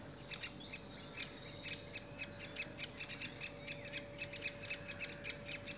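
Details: Great spotted woodpecker, an adult together with young: a run of sharp, high clicking chips, irregularly spaced and growing denser, roughly twenty-five in six seconds, over a steady low hum.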